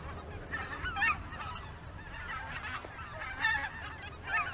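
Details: Flock of greater white-fronted geese in formation flight near Izunuma, Miyagi, Japan, before nightfall, heading out to feed once more: overlapping high, laughing honks and yelps, irregular and layered, over low background rumble.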